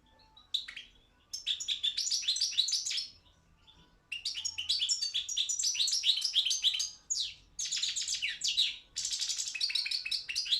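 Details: Competition Balkan goldfinch singing for a world championship run by a Serbian breeders' association: long phrases of rapid twittering, buzzy trills and bright chirps, broken by short silences, at about three notes per second.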